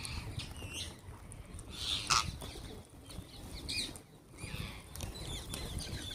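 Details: Wild green parrots calling while being fed: scattered harsh, broadband screeches, with the loudest burst in the middle, over steady outdoor background noise and low rustling.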